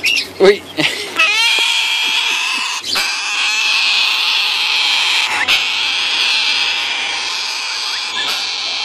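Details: Three very hungry hand-raised sulphur-crested cockatoo chicks give a continuous harsh, rasping, wheezy begging noise; a brief human voice at the start. Sulphur-crested cockatoo.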